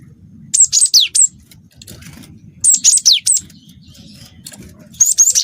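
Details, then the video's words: A cinereous tit sings with canary phrases mixed in: three short phrases of shrill descending whistles, each roughly two and a half seconds apart, the last breaking into a quick buzzy trill, over faint low hum. "Burung gLatek watu full isian kenari"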